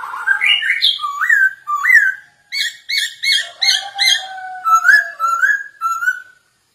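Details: Masked laughingthrush (poksay hongkong), singing briskly for use as a lure to train other birds: a continuous run of upslurred whistles and rapid, rattling, buzzy phrases over a long, low, falling whistle.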